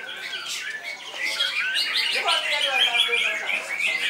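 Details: Greater green leafbird in nonstop 'koncer mutlak' song with strong volume: busy, high warbling whistles and twittering notes run together without pause, steady loudness throughout, with faint lower-pitched murmuring underneath.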